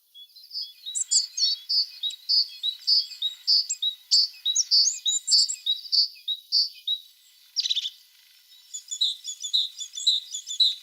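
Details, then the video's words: Tit singing: a run of short, bright whistled notes repeated about every half second, laced with thin high twitters, a brief buzzy burst near the end, then a quick spell of rapid twittering. "The sound of a tit singing"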